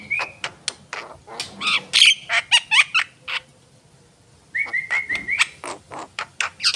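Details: A Javan myna sings a steady whistled note, then a jumble of harsh squawks and clicks, a short pause, and a series of flat, clear repeated whistles followed by more chatter.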